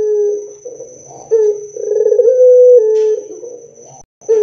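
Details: Loud, energetic Barbary dove song used to lure other doves into replying. Low sustained coos with rolling, laughing onsets follow one another closely, and one coo holds steady for about a second before a brief silence.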